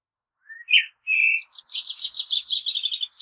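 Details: Common blackbird gives a few warbled whistles, then a long, quick, shrill twittering trill of repeated high notes that goes on to the end.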